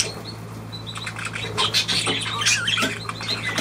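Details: Budgerigars dated 23 June 2023 give quick high chirps and scratchy warbles that overlap and blur together, with a steady low electrical hum running underneath throughout.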